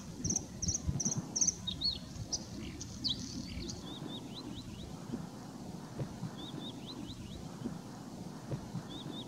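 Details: Bluethroat in the Großes Torfmoor / Hiller Moor in North Rhine-Westphalia, Germany: high, thin whistled notes and short downslurred ticking phrases in quick series, over a steady low rumble of wind and distant traffic.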